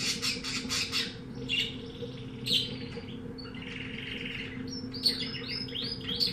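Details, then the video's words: Canary bought from a pet shop, breed not known, singing eagerly: clipped high chirps and buzzy phrases, then a run of quick upswept whistles near the end, all over a constant low electrical hum. "Canario cantando"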